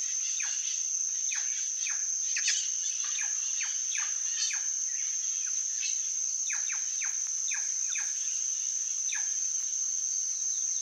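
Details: Long run of plush-crested jay notes, many brief downward sweeps tumbling over one another, some overlapping as if several birds call, while a thin insect tone hums throughout.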